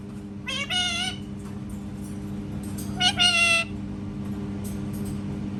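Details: Cat-sound imitation by a parrot: two nasal, harmonic meow-like calls with a rising then falling shape, separated by a pause, over constant low hum and faint background noise.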